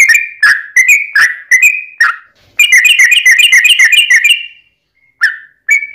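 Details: Yellow-vented bulbul in a long-run fighting song, used as a lure for other bulbuls: several separate gurgling whistles, then a fast tight burst of rapid chattering notes, a pause, and two final whistled phrases.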